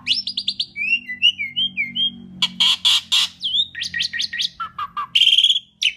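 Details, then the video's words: Full, loud song of an Asian pied starling, used to draw other birds into song: a trilled opening, looping whistled notes, dense harsh bursts, then chirps and a rasping buzz. "Kicau Jalak Suren Gacor Paling Nyaring"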